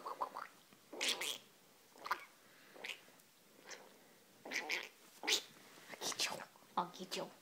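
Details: A pet rainbow lorikeet (Trichoglossus moluccanus) wrestling and playing at night time gives harsh, raspy screeches and short chattering squawks in irregular bursts, about a dozen in seven seconds.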